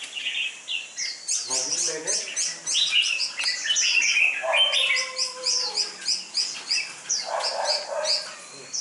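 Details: Red-whiskered bulbul kept for competition training, dark-bibbed and slim, heard amid a dense run of quick high chirps repeated several times a second, with lower drawn-out whistles midway.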